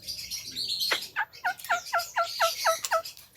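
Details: Javan myna, a caged songbird, giving a loose run of short, clipped harmonic notes, each dropping slightly in pitch and repeated about four times a second after an opening sharp downward sweep.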